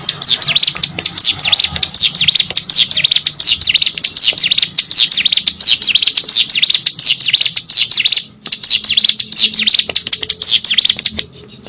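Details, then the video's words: Vigorous hill prinia song, played to encourage other birds to sing: a long, rapid sequence of high, thin, sweeping chips with a brief break past the eight-second mark, over faint low background hum. "burung ciblek gunung gacor"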